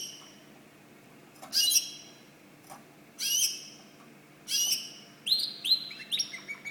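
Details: White canary giving separate high buzzy bursts about every second and a half, then a quicker run of rising whistled notes.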